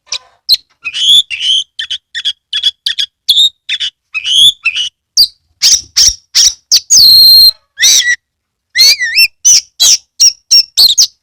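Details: Oriental magpie-robin singing hard with its tail spread, kept in Kebumen, Central Java. It pours out a loud, rapid medley of whistles, clicks and scratchy notes, with a sustained harsh buzz and a few liquid, wavering slurs.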